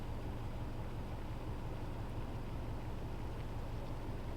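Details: Steady low engine drone with a humming tone and background rumble, and no animal sound.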